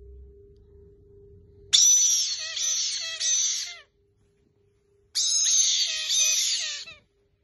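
Two loud, harsh, grating screech bursts, each about two seconds long, separated by a brief pause, from a caique parrot.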